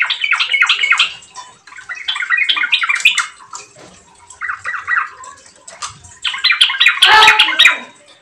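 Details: Yellow-vented bulbul in full song, played to coax birds into rapid singing; dense, gurgling chatter of fast notes in four bursts, with a louder, harsher flurry near the end.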